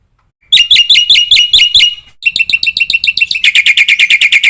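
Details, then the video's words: Black-winged myna training song with full phrases: a row of sharp, upswept buzzy notes, a brief fade, then fast repeated metallic chatter speeding into a dense, grating trill. "suara masteran jalak putih full isian"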